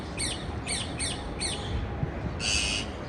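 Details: Four quick, sharp parakeet chirps sliding downward, spaced evenly, followed by a short harsh buzzy squawk, against a low noisy background.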